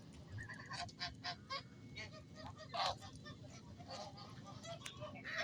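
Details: Geese honking in a series of short nasal calls, several overlapping, with a steady low background rumble.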